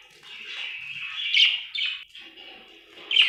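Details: Happy budgerigar chirping: a steady, warbling chatter around the mid-high range with brighter rising chirps near the middle and end, plus a faint low buzzy undertone.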